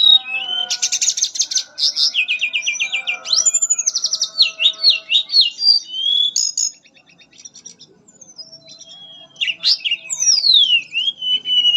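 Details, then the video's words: Long melodious nyuling song from a mangrove blue flycatcher, dense runs of high trills and repeated notes around four per second, a brief quiet gap, then fresh falling whistles and twisting phrases. "Burung tledekan nyuling merdu"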